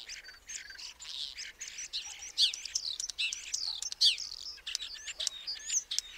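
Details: Common starling in a busy jumble of wheezy, scratchy notes mixed with thin whistles and sharp clicks, uneven in loudness and steadily running on.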